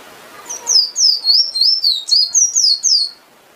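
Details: Singing emprit finch produces a lively series of high, looping whistled notes, about ten in quick succession, with a faint low sound near the start.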